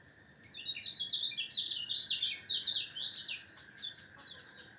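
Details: Yellow white-eye during morning dew-airing, kept for health and a louder voice: continuous fast, high chattering twitter of short slurred notes, bright and busy throughout, with a persistent shrill background whine.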